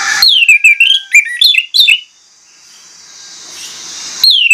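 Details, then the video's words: Orange-headed thrush with a long, sliding whistle dropping then rising, followed by quick chirpy notes and warbled slurs; a hissy lull follows before another falling whistle begins. "PANCINGAN ANIS MERAH PLONG NGOTOT BONGKAR ISIAN"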